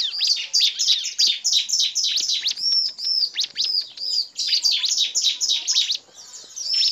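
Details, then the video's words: Bar-winged prinia lure blending 'nembak' male calls, female calls and 'ngebren' calls to coax other birds into singing; a steady stream of shrill chirps and downslurred notes over seven seconds, with high drawn-out whistles between bursts. "suara pikat burung ciblek dan pancingan ciblek agar cepat gacor"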